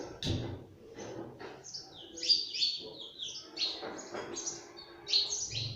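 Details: Pet parrot at home giving high, thin chirps and short squeaky notes in loose clusters, with soft low thumps and room noise underneath.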